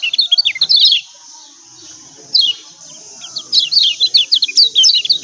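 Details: Kecial kuning Lombok white-eye giving excited 'ciak ciak' calls, used to lure birds that are reluctant to sing: a quick burst of high, downslurred chirps, a near-silent gap with a faint hiss, then another run of rapid notes.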